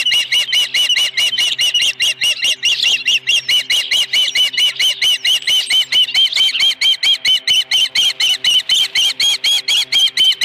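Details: Osprey calling at the nest while holding a live fish on 26 May 2020 at 4:58 PM: a long, unbroken series of piercing, evenly spaced chirps delivered rapidly for over ten seconds.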